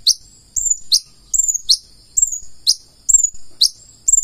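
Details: Singing purple-throated sunbird (konin), active full isian style: thin, high slurred whistles, some paired, each dropping steeply in pitch, given in an irregular run over a quiet background with soft low knocks.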